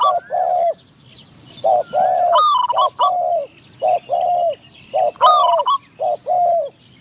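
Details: Caged decoy spotted dove luring a wild dove with a medium-pitched voice: low, rounded coos in paired phrases, repeated about every second or two, broken by brief higher chirping notes from another bird.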